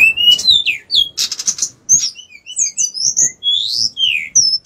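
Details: Bar-winged prinia in lively song: high, clear whistled notes sliding up and down, mixed with a brief rattling buzz and quick chirps, delivered in rapid varied phrases.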